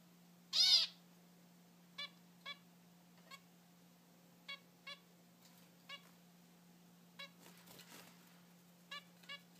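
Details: Three zebra finch fledglings newly out of the nest, flying on their own, one learning to crack seeds; a loud nasal honking call opens, then short stacked chirps repeated in pairs about every half second, over a constant low electrical hum.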